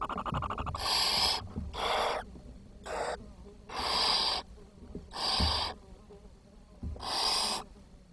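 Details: Barn owl chicks in a nest on 10 June 2023 give harsh, breathy hisses, six half-second rasps about once a second, with soft knocks and rustling. Food was short and the youngest chick died.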